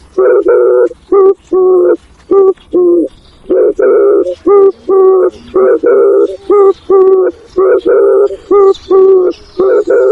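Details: Spotted dove calling the flock, the loud, rich cooing phrases crowded close together and overlapping in quick succession, with faint higher chirps of other birds behind.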